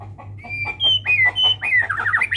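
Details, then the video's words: Medan-type white-rumped shama in song: a run of clear whistled notes climbing into a fast warbled flourish that ends high, with a low steady hum beneath. "burung murai batu medan!!! FUll isian 100 ikut GACOR..!!!"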